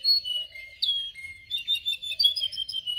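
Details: Canary song recorded for training canaries to sing, with a mix of sliding whistles, a low drawn note and lively warbled twittering phrases.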